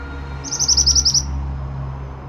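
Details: Pied bushchat in lively song for bird training: one quick series of about eight sharp, high repeated notes, with a steady low hum underneath.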